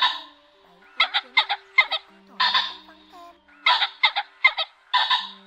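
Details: Male and female ring-necked pheasants calling the flock together, lure recording: harsh, raspy squawks in quick clusters of two to four notes, with broad louder cackles between, over a faint steady hum.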